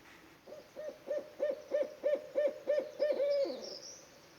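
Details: Barred owl in a North American forest on a spring night; about ten rhythmic hoots building from soft to loud at roughly three per second, finishing with a drawn-out, falling note.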